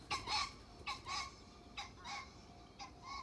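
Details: A common pheasant in flight gives harsh, cackling double notes, about four bursts in three seconds, over a faint background hiss.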